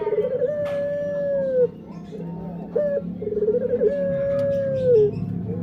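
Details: Male Barbary dove in pelung style with a long flat coo ending in a fall, then stuttering pulses rolling into a second extended coo, over a low steady background hum.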